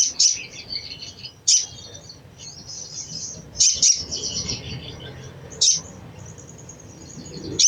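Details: Chattering call of a crimson sunbird, a cecretan said to spur untrained sunbirds to sing: high, sharp chips in pairs and singles every one to two seconds, with continuous thin, fast twittering running between them.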